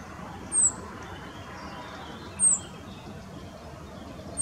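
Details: Sharp, high, thin descending calls from a male rock bunting with a grasshopper in its bill, Moselle valley near Valwig, Germany, two notes spaced about two seconds apart against a low background rumble.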